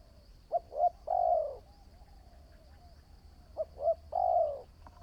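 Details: New decoy spotted dove under training calls twice, each phrase two brief clipped notes then one sustained, gently falling coo, separated by quiet gaps, with a faint continuous high whine.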